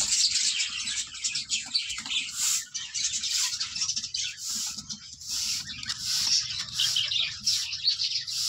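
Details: About 15 to 20 female budgerigars together in a separate farm room, making a steady mass of high twittering and chirps that rises and falls without pause, over faint low background noise.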